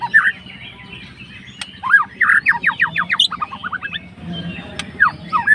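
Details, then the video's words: White-rumped shama (murai batu) fighter singing to stir a rival's emotions: whistled upward slurs followed by rapid series of sharp descending notes, repeated in short bursts with a low droning hum behind. "MURAI MACET MALAS BUNYI LANGSUNG RESPON"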